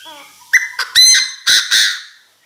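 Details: Chinese francolin decoy bird calling intensely to its flock: after a faint, thin lead-in, five loud, harsh, buzzy notes rich in overtones burst out in quick, uneven succession over about one and a half seconds.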